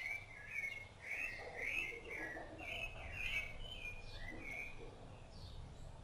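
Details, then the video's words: Rufous-bellied thrush, seen feeding its chicks, sings varied mid-pitched whistled and warbled phrases in quick succession, with softer lower notes between them, over a steady low background rumble. "SABIÁ LARANJEIRA CANTO"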